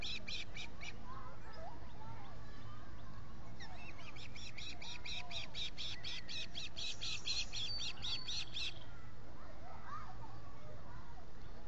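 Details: Osprey at the Salt Point nest in the Finger Lakes, US, 19 July 2021, with three birds at the nest, recorded by a solar camera. A short burst of chirps is followed by a long, rapid chain of shrill notes, with songbirds and a low hum behind.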